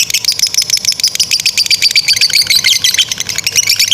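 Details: Shrill, rapid lovebird chattering in the long ngekek style used for training young or silent birds: evenly pulsed high notes in an unbroken run, with a thin whistled tone threading through.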